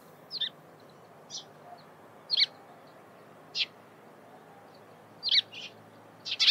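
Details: A Eurasian tree sparrow chirping in the morning: single clear, sharp chirps spaced about a second apart, some paired, against a quiet background.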